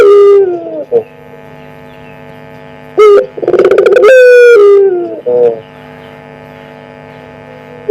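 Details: Collared dove of pelung style, one year old, giving a lure call: scattered short coo notes, then a full phrase with a clipped opening note, a quick rattling stutter and a long sustained low tone bending down, with constant hum beneath.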